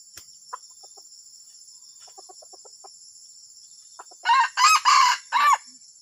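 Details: Junglefowl, unusual call: quiet scattered ticking and clicks, then a burst of four loud, hoarse crow segments ending on a drooping note. A constant shrill insect drone is heard underneath.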